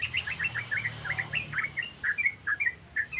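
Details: Yellow-vented bulbul giving a rapid 'ropel' chatter: a quick run of short, bubbly, down-slurred notes at a steady pace, followed by a few higher, thin chirps and scattered squeaky notes.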